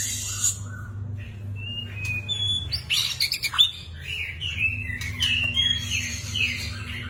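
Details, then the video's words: White-rumped shama delivering a varied song of short whistles, clicks and harsh rattling notes, with slurred high phrases toward the end; constant low hum in the background. "Burung Murai Batu"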